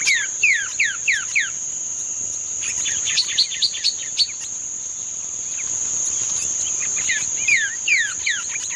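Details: Green-winged saltator, song in the style called treme terra, recorded 31 May 2025: quick series of loud downslurred whistles opening and closing the stretch, scattered chirps between, over a steady high insect drone.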